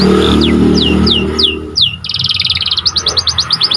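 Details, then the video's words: Panda canary singing, recorded as a training recording for other birds: a few slurred whistles over a low droning hum, then a fast rattling trill breaking into quick repeated chips. "Kicauan Burung Kenari Panda Gacor"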